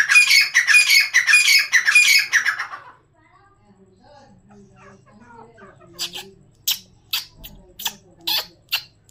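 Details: Grey francolin, or teetar: a loud burst of harsh, rhythmic, repeated squawking phrases, then near quiet with faint low murmuring, followed by sharp clicking or tapping sounds.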